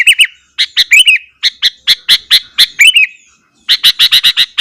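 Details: Lively morning song of a sooty-headed bulbul used to rile up rival bulbuls, a run of sharp chirps and bubbly looping phrases, ending in a fast series of five or six evenly spaced clipped notes.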